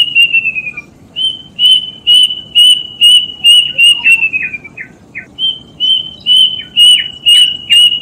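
Plaintive cuckoo giving a series of clear, high whistled notes, about two per second, some slurring downward, repeated in a steady run after a brief pause.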